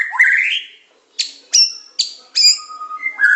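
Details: Medan white-rumped shama training song, in pancingan, macet, tembakan and isian styles. A rising whistle, then a pause and four sharp piercing notes about every 0.4 seconds, ending with a long low whistle and bright notes.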